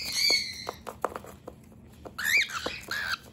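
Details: A cockatiel drives a human away from its secret base: a rasping screech, a run of quick knocks, then a sharp cluster of grating squawks with bending pitch.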